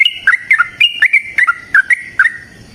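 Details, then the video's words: Sooty-headed bulbul, a long fighting song used as a lure to make other bulbuls sing: bubbly, liquid whistled phrases of quick up-and-down notes, repeated steadily with brief gaps. "TRUCUKAN GACOR TARUNG ROPEL PANJANG Pancingan trucukan Agar Bunyi Jadikan Burung Trucuk Gacor Nyaut"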